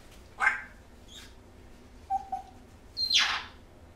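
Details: Pet female African grey parrot mimicking speech and growling indoors: a few short, separated vocal bursts, a brief harsh squawk, a low flat whistled note, then a louder rasping sweep, with quiet gaps between.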